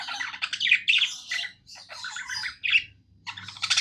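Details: Pet budgerigar, described as happy, singing indoors: dense, scratchy chattering warble in quick bursts, mixing buzzy notes with sharp chirps and brief squeaks, broken by short pauses. A faint low hum runs underneath.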